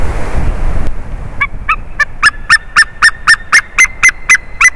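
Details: A changeover at a favourite tree on 30 March 2019, afternoon: White-tailed eagle yelps begin softly and grow louder, about a dozen sharp, ringing notes spaced roughly a quarter second apart, after brief rushing noise.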